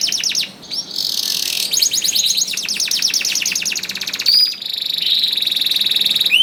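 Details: Canary singing hard, used as a lure for canaries slow to sing; dense rapid trills of clipped notes change speed and pitch, broken by a bright rising whistle and a long high trilled tour.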